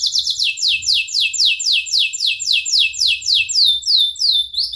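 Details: Canary singing a long training song for young birds: steady rolling trill of downward-sweeping whistled notes about four per second, ending in sharper rising chips.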